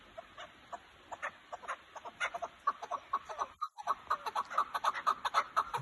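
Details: Kazakhstan chukar partridges call with quick, repeated chuck notes, sparse at first and then building into a steady run of about two per second after a brief dropout.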